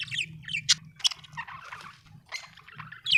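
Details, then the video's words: Budgerigar chatter: scratchy squawks and sharp chirps in short uneven bursts, with a soft warbling run in the middle, over a low hum. "Australian beautiful birds sound 😍 budgie chirping sound 🥰"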